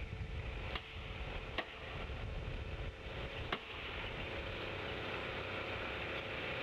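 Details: Broad hiss and low rumble from a nest camera, broken by a few sharp clicks, with no animal call standing out.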